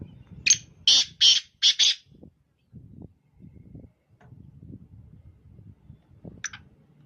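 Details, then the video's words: A black francolin in the morning gives a burst of five rough, rasping notes in quick succession, followed by soft low background noise and one brief thin high note. "Kala tetar ki awaz"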